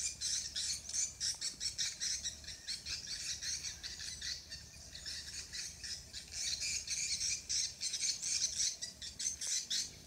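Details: Swiftlets on Koh Samui, Thailand, give a dense, steady stream of high, scratchy chirps and rapid clicking twitters, many birds calling at once in quick pulses.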